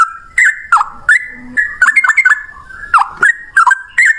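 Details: Male yellow-vented bulbul in combative long-phrase singing meant to provoke other birds: bright liquid notes dropping and rising, spaced irregularly, with a short low hum in the middle.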